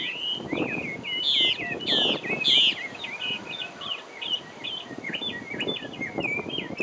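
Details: Taiwan hwamei, endemic to Taiwan, pouring out a varied song of high whistles, sharp upward and downward slurs and a few louder ringing notes, in a rapid, jumbled sequence over faint low noise.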